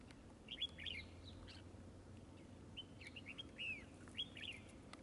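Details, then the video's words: Red-whiskered bulbul during trapping, said to fight with spread display: three bright, liquid whistled phrases of quick slurred notes, roughly every one and a half seconds, with soft outdoor background noise. "Bẫy chào mào ĐẤU XOÈ MAU MỎ HỌNG BÒ SIÊU TO KHỔNG LỒ"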